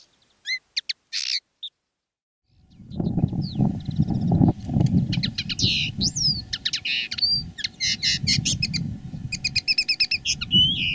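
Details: Common linnet decoy bird singing live: after a brief pause, a fast run of twittering, buzzy and whistled notes with rising and falling slurs, over low rumbling background noise.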